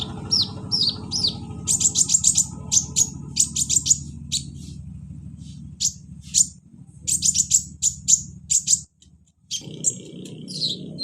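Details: Sunbird, called kolibri ninja, in song played to coax a silent caged bird: rapid runs of high sharp chip notes in bursts of several, pauses between, with low mechanical hum underneath.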